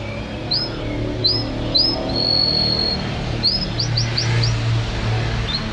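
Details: Champion-style song of a domestic canary for training caged birds at home: short high upslurred whistles, one long level note, then a quick series of four rising chips over a steady low hum.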